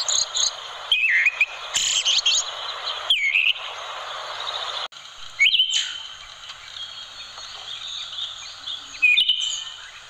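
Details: Melodious song of an orange-headed thrush offered as tutor material for caged birds: clear high whistles and twisting slurred notes in short phrases, with gaps of a second or more, over a constant background hiss.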